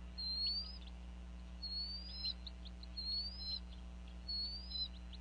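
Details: Bald eagles at a nest in Northeast Florida, 8 January 2014, around 4:40 pm. The female calls over a fish as the pair feeds the eaglets. Thin, high whistled notes, each followed by short chips, come about every 1.3 seconds.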